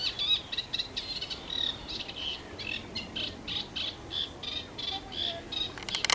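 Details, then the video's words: Eurasian reed warbler in song at the London Wetland Centre: an even, rhythmic chatter of harsh repeated notes with occasional thin whistles, broken by a sharp crackle at the very end. "reed warbler"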